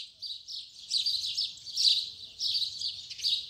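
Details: Double-collared seedeater in the morning, tui tui zel zel song style: a fainter run of high slurred whistles and buzzy notes in repeated swells, with low rumbling noise underneath.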